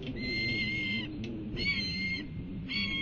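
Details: Hungry juvenile red-tailed hawk on the railing above its nest, watching for a parent with food, filmed by a nest camera at 10:03 am on 17 July 2015; three drawn-out, harmonic, whining calls about a second each over a low steady hum.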